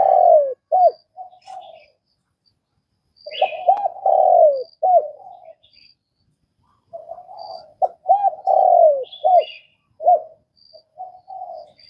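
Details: Vietnamese spotted dove cooing in phrases of low, mellow, arched hoots, each phrase ending in a longer drawn-out coo; two phrase groups separated by short silences, with faint high thin chirps of other birds in the background.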